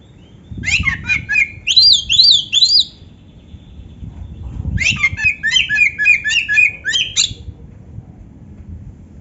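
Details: Oriental magpie-robin song with complete fills, among them canary phrases: two bursts of fast, rhythmic high chattering and zigzag whistles, separated by a pause of about two seconds, with steady low background noise.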